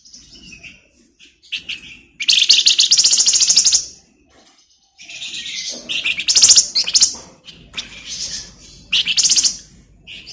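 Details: Lively flamboyan bird song, kept as a tutor recording for magpie-robins: long dense buzzy trills of high notes lasting one to two seconds, broken by brief silences and short chirping phrases.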